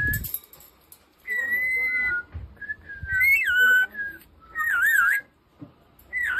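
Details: Whistling duel between a tame talking rainbow lorikeet and a person inside a home: long steady whistled notes alternate with wavering, looping phrases, with gaps between them and a brief thump near the start.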